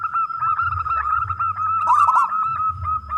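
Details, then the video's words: Local wild zebra dove, a keen loud singer, calling to coax other doves into singing. Continuous stream of fast, bubbling coo notes on an even pitch, with a brighter rattling flourish midway and low hum beneath. "perkutut lokal gacor suara besar"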